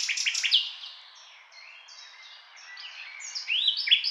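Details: Singing nightingale delivering loud rapid stuttering notes, then softer varied whistles and slurred tones, building back to a loud rapid phrase.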